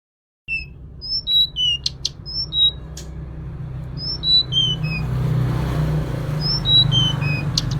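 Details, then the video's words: Female Sunda robin calling to the male: thin, high, clear whistled notes in short falling sequences, each note sliding slightly. A steady low hum runs underneath. "Suara Tledekan Gunung Betina Memanggil Pejantan"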